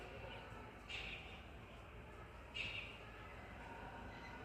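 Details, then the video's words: A rose-ringed (Indian ringneck) parakeet in Ludhiana gives two short, harsh, high screeches about a second and a half apart over a steady background rumble of traffic-like noise. "Big Ringneck Parrot"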